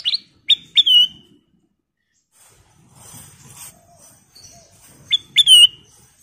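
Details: Sooty-headed bulbul lure call: short sharp notes each followed by a clear falling whistle, a quiet gap with faint background sounds, then the same phrase again.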